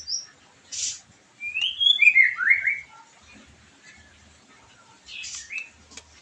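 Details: White-rumped shama singing to excite a bird after its moult: a few high gliding whistles and scratchy notes, fairly quiet, with long stretches of faint background.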